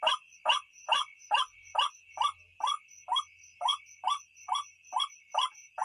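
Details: White-breasted waterhen recording used to lure birds at night: harsh, croaking notes falling in pitch, repeated steadily about twice a second, about fourteen in all, over a continuous high ringing insect-like drone.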